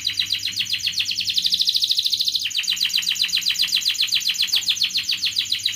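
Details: Canary singing continuously as a lure to stimulate lazy canaries, in ngerek, mbarong and ngerol styles. Rapid, rattling trills of sweeping notes run without pause, switching at mid-point to a slightly slower series of repeated chopped notes.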